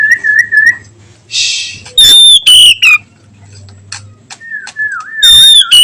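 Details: Afternoon 'nyiul' song of an oriental magpie-robin. Wavering mid-pitched whistles alternate with loud, high, drawn-out whistled phrases that slide slightly downward, with a brief rasping burst between phrases.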